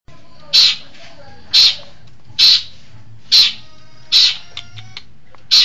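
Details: Long-tailed shrike from East Java, a caged singing bird, giving loud harsh high notes about once a second, some thin whistled tones between them, with a low steady hum behind.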